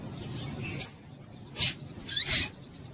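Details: Female double-collared seedeater call used to excite males and set them singing: short high chirps and thin whistled notes, a quick downslurred whistle near the start, then two bursts of sharp high chips.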